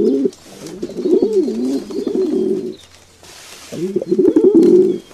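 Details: Low, throaty dove coos come in two rolling bursts with a short pause between them, over faint background rustle.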